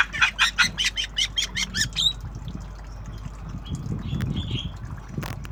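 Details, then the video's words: Tame Javan myna in obyogan style, learning to make sounds. About nine harsh, rasping notes come in a quick, even series over two seconds. Quieter scattered chatter follows over a low background rumble. "Jalak kebo Obyogan Belajar Bunyi"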